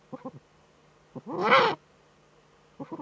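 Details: Eurasian eagle-owl female scratching in a nest niche, recorded by webcam in northern Rhineland-Palatinate, Germany, 5 May 2013; paired soft clucks, a strong hoarse rasp of about half a second, then more paired clucks.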